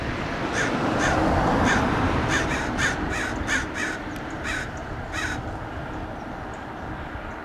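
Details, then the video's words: American Crows mob and dive-bomb a Red-tailed Hawk perched at a roadside in Del Monte Forest, California. Several birds give a rapid, harsh, overlapping barrage of caws over a steady low rumble of wind or distant traffic. "Crows mob and dive-bomb the Red-tailed Hawk"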